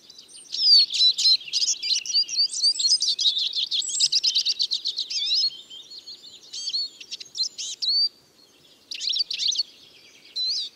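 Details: A Eurasian siskin pours out a rapid twittering run of high chirps and slurred whistles for about five seconds, then falls quiet before short bursts of twitter resume.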